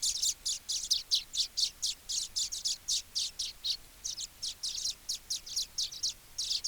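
Baya weaver giving high, dry chirps in a rapid chattering series, roughly three notes a second, with little else in the background.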